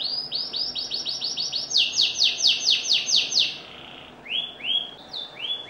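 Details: Canary in full song: rapid series of high, descending slurred notes repeated about twice a second, shifting to louder, lower trills mid-phrase, then slower dropping whistles after a brief pause.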